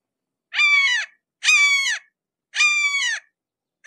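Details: Red-shouldered hawk heard up close, giving three harsh, ringing downslurred screams, each about half a second long and spaced roughly a second apart, with silence between.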